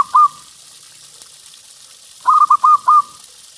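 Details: Local Indonesian zebra dove (perkutut), a strong 'gacor' singer used to lure other doves: one short coo, a pause, then a quick run of four clipped, bubbling coos ending in a drawn-out note, over faint background hiss.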